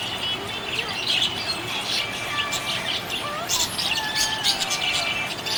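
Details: Happy budgerigar chirping: dense bursts of high, scratchy twitters and squeaks, with a few sliding whistled notes lower down and faint musical tones in the background.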